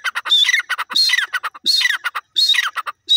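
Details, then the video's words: Grey francolin calling loudly: harsh, squeaky, grating phrases delivered in rapid bursts, roughly three repeated groups within three seconds, with short clicking notes between them and no other sounds. "grey jungji teeter bird ki awaaz"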